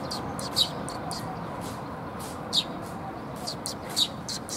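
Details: Sparrows come to be fed at a Tenmangu shrine, 30 October 2021; sharp, clipped chirps sound about every one to two seconds, some softer calls between, over a low rumbling background.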